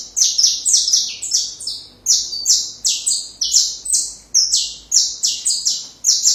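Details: Continuous saffron finch song meant for training young birds: an unbroken stream of high, buzzy, descending two-step phrases, roughly two notes per half second, loud and clear throughout.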